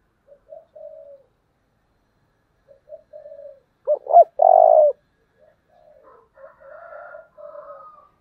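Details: Decoy spotted dove in the 'giọng thổ' voice style, very intense delivery: soft, scattered low coos build to a loud, emphatic three-part coo ending in a long held note, then quieter coo phrases with faint higher notes near the end.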